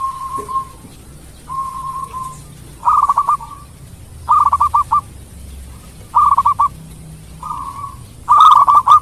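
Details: Melodious local zebra dove from Indonesia, used to provoke rival birds into quick replies: smooth drawn-out coos alternate with clipped stuttering phrases, repeated about every one to two seconds with quiet gaps.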